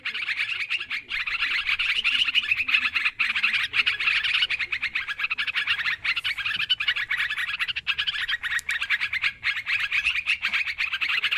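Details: Sooty-headed bulbul, noisy calls used as a trapping lure: dense, continuous chatter of short bright notes, many birds overlapping in an unbroken busy stream for the whole stretch.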